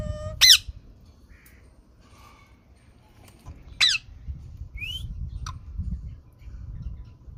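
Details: Green parrot with two loud harsh squawks a few seconds apart, followed by a short rising whistle and a softer squeak, against low rumbling noise.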